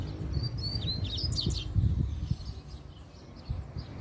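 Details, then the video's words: Wild double-collared seedeater, described as very spirited and countersinging: a rapid phrase of thin whistled slurs and sharp downward notes in the first two seconds, then quiet apart from low background noise and knocks. "Coleiro Na Natureza Muito Fibrado Troncando Canto"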